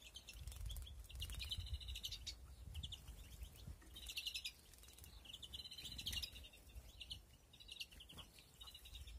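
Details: European greenfinches in a flight cage, breeding with nests in 2021. Repeated rolling trills and twittering phrases recur every couple of seconds over heavy low-frequency rumble and thumps.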